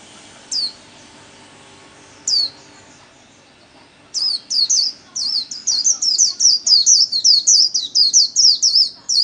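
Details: White-eye 'líu' song, solo, for daily training of cage birds: two isolated high squeaky notes, then an accelerating, loud, sustained string of rapid, high, slurred chirps.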